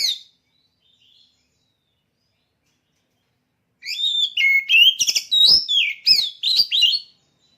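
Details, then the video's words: A caged oriental magpie-robin (kacer), prepared for song contests, sings after a long quiet pause. It gives a dense burst of lively whistled phrases, rapid up-and-down sweeps punctuated by crisp clicks, at roughly three notes per second for about three seconds. "Suara Burung Kacer Siap Gantang"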